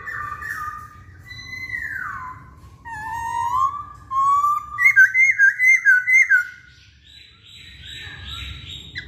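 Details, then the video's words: Masked laughingthrush singing as a provoking lure: smooth gliding whistles rise and fall, then a rapid string of about seven bright looping notes, then a hoarse sustained tone. Soft low hum throughout. "Pancingan Poksay Hongkong"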